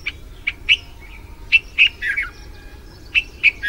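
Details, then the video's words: A red-vented bulbul in India after the monsoon gives bright, bubbly chirps in short irregular bursts, possibly mate calls, with a quick liquid tumble of notes midway, over a faint low background hum. "Red Vented Bulbul activities and mate calls"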